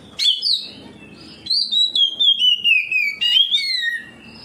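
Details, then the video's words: Oriental magpie-robin singing ngeplong in response to a rival magpie-robin, showing off its repertoire: a sharp note, then long clear whistles sliding steadily downward, broken by a high accented note and another descending whistle. "KACER NGEPLONG KACER LAIN LANGSUNG RESPON NGEPLONG BONGKAR ISIAN"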